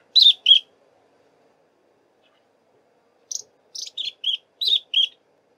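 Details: Foraging in a thick bush, a shy Long-billed Crombec sings two sharp high notes, pauses nearly three seconds, then delivers a run of six quick chirps that step downward.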